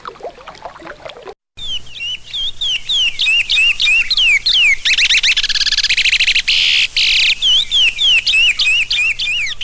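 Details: Chestnut-bellied seed-finch of the Sergipe regional song type singing a loud, rich run of clear whistled notes, swooping up and down about three times a second, with a few buzzier trilled phrases.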